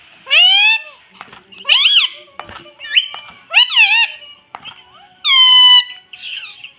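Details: Young talking Indian ringneck parrot kept as a pet, saying "mummy": a rapid series of loud, harmonic rising-falling squawks, then a long flat whistle and a short buzzy note, in a small room.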